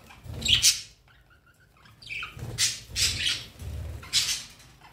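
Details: Two pet rainbow lorikeets fighting: harsh, noisy screeches in short bursts separated by brief pauses, with rustling and a few faint softer chirps between.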